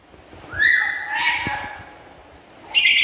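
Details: A home-kept black-capped lory gives a rising whistled call that runs into a rougher, hoarse squawk, then a sudden loud harsh squawk at the end. Light clicking and tapping sounds are heard underneath.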